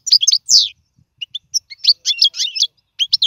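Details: Goldfinch song intended as a tutor for young birds: bright, high chirps and a buzzy downward slur, a short silence, then scattered twittering notes building into a tight, tinkling burst.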